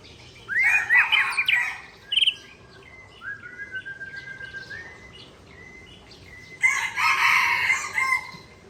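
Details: Rival-directed song of an Aceh white-rumped shama from Tangse, Aceh: loud rich warbled bursts, then a string of level, clear whistles repeated about twice a second, ending in another intense chattering outburst.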